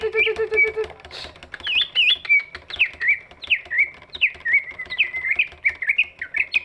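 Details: Big-bodied greater green leafbird singing to prompt reluctant birds to sing: varied, slurred whistled phrases rising and falling, after an opening run of low rapid notes, over a steady background ticking.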